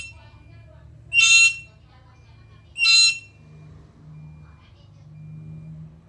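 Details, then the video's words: A black-capped lory gives two loud, raspy screeches less than two seconds apart, followed by quieter low murmuring sounds. "Burung nuri kepala hitam gacor"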